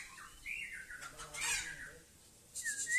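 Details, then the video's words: White-rumped shama of the Murai Aceh type in a yard during a 'kapal layar' display, giving smooth whistled sweeps that rise and fall, then a short rising whistle after a brief pause. "Murai Aceh"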